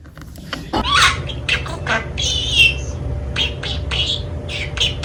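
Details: Pet budgerigar indoors, said to always call for its mother, giving a warbling chatter of short buzzy notes and squawky chirps, with a low hum underneath.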